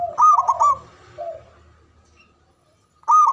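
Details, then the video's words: Local Javanese zebra dove, loud and long-winded, sings to stir rival doves into song. A loud, quick stuttering coo phrase opens, a soft low note follows, and a second burst begins after a short silence. "Banyak Di Cari Untuk Pendobrak Perkutut Bisu🔇 Malas Bunyi 🔊 Stress Kembali Gacor"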